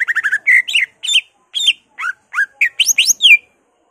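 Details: Greater green leafbird in energetic song said to be full of imitations of other species: a rapid series of short, repeated whistles, then spaced, sharply rising and falling slurred notes.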